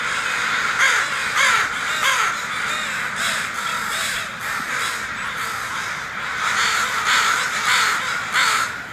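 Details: Flying crows give repeated raucous caws in short bursts, with a few clear rasping calls rising above a busy chorus of the flock.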